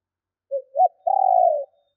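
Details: Decoy female spotted dove calling to attract wild males. A brief low note and a short arched coo, then a long, purring, trembling coo lasting over half a second. Nothing else is heard.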